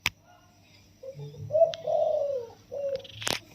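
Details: Caged spotted dove, wild-caught 16 days earlier, crowing in the full 'yon kuk diao' single-kuk style: a soft, mellow phrase of low coos with one longer drawn-out note, sharp clicks at start and end, faint low hum.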